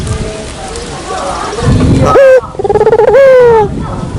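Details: Lure call of a Barbary dove over a murky background hum: two clear coos near the end, the first a short rising note and the second a longer tone that slides gently downward.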